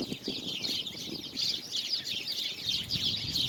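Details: Birds singing on February 24, 2020, a steady mass of overlapping high, quick chirps with no single voice standing out, plus faint low background noise.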